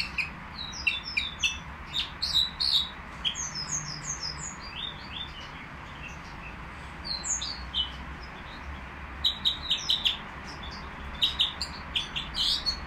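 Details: Caged nightingale at the Qriaa bird market, singing phrases of descending whistled notes and sharp chirps, a quiet gap midway, then renewed bursts of rapid clicking notes.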